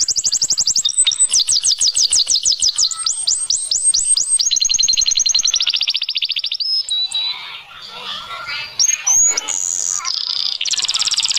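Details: Canary song: successive fast trills shifting in pitch, each held a second or two, then a quieter jumble of varied notes before a high whistle and another trill.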